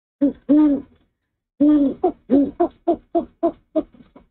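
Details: Owl male on the nest early morning, 04/06/23, hooting after bringing a rat for his mate. Two long deep hoots, a pause, then a descending series of quicker, shorter hoots fading out.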